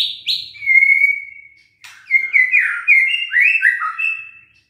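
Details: White-rumped shama song used as a trigger to provoke lazy, quiet caged birds into singing: long steady whistled notes, then a rich run of clear whistles and slurred phrases with sharp clicks.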